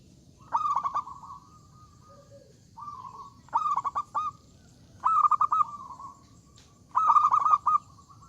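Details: Zebra dove in full loud song meant to provoke rival birds into answering, giving four strong phrases of fast bubbling coo pulses with sustained tails, each about two seconds apart, plus a soft brief note between them; faint low rumble beneath.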